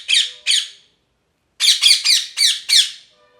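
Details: Harsh, rasping parrot squawks: two spaced calls, a silent gap of about a second, then a quick run of five grating squawks.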